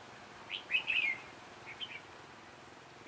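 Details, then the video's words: Red-whiskered bulbul at a trapping site, in a sharp, lively giọng đanh lăng xăng voice: one loud, quick warbled phrase of chirpy notes, followed by softer short notes and a final chip. "Bẫy chào mào Giọng đanh lăng xăng"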